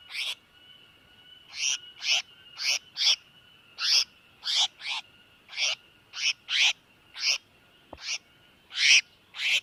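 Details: Trapping lure of a tiểu mi đất bird in distress: a long run of harsh, grating notes at an irregular pace of about two per second over a faint steady whine.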